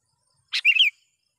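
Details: One phrase from a sooty-headed bulbul calling a rival, a lure sound for wild bulbuls: a short harsh burst followed by a chattering string of liquid whistled notes, then silence.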